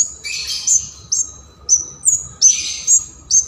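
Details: Bar-winged prinia singing keres gacor style, meant to prompt and train songbirds: high thin whistled notes alternate with harsh buzzy bursts, delivered in uneven spurts, over a faint steady low hum.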